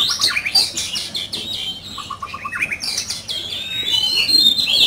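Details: Caged oriental magpie-robin in a heated singing competition: busy high chattering and whistles, a short string of evenly repeated lower notes, then a long rising whistle.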